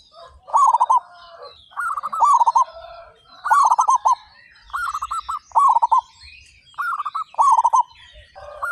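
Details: Thirty-five local zebra doves in full song, praised for loud voices; repeated rippling coo phrases of four to five quick notes, one burst roughly every one to two seconds, overlapping callers answering each other.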